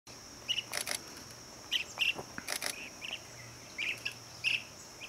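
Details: Blue-cheeked bee-eater (Merops persicus) at lunch time gives short rolling chirps in small bursts every second or so, over a steady high insect hiss and several sharp camera-like clicks.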